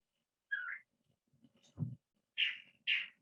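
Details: California Thrasher male song with mimicked fragments of other chaparral birds: a slurred downward phrase, a low thump, then two loud raspy, rising-falling notes close together, over faint low background noise.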